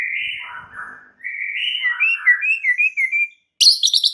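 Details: White-rumped shama lure song aimed at provoking rival shamas: a warbling, wavering whistle that rises and falls in quick ripples, followed after a pause by a sudden burst of high, sharp notes.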